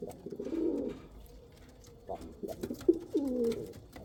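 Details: Low, soft cooing from Kal Cheeni and Rampuri pigeons, apparently indoors: a rolling coo, a pause, then several shorter throaty coos in a quick cluster.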